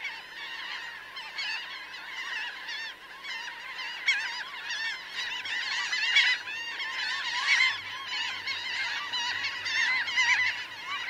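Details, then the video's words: About 1000 laughing gulls in a large flock, some on the ground and some flying, producing a steady roar of overlapping nasal, up-and-down cries with scattered louder peaks. "Laughing Gull. CU Calls From A Large Flock Of About 1000 Birds On Ground, In Fli"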